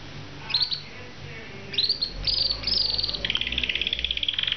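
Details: Canary singing: bright, high whistled phrases that slide downward, then a long, rapid rolling trill held steady to the end.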